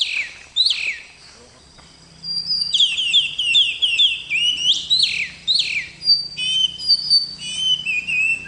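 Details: Kacer, the oriental magpie-robin, singing melodiously: a lone sharp opening note, a pause of over a second, then dense phrases of bright whistles, downslurs and chattering notes packed together.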